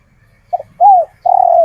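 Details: Spotted dove, a local male originally taken from the wild and kept, calling to lure females: a short double note, then a long arched coo, then a sustained falling coo, all low and mellow.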